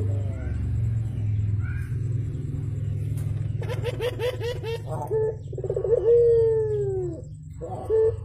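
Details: Javan turtle dove in the morning, heard after a stretch of low rumbling background: a burst of quick stuttered notes, then short coos and one long descending coo, with another coo starting at the end.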